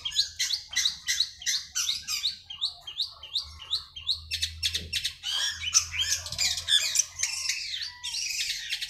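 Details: Long-tailed Shrike song used as a lure for caged shrikes that have stopped singing: a rapid run of sharp, high chattering notes, about three per second, breaking into harsher buzzy, scratchy phrases with varied mimic-like twitters.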